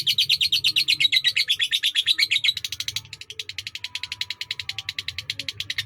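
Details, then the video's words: Long-duration sakera-style song of a lovebird from Indonesia, an unbroken shrill chatter; harsh, sharp chirps first, then after about three seconds a faster, thinner, higher rattle of ticking notes. "Love Bird SAKERA durasi panjang"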